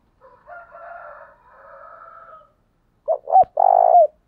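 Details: Spotted dove decoy call to provoke other males. A long, soft buzzy droning sound first, then a loud three-note coo with two short notes and a long final croon, broken by a sharp click.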